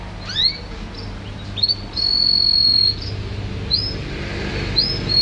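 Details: Champion canary singing: sustained high whistled notes and short upward sweeps separated by pauses, over a faint low background hum.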